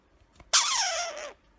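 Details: A male pet Indian ringneck (rose-ringed) parakeet, being coaxed to talk and say "peekaboo", gives one bright, harsh, drawn-out utterance that slides steadily downward in pitch for under a second, in an otherwise quiet room.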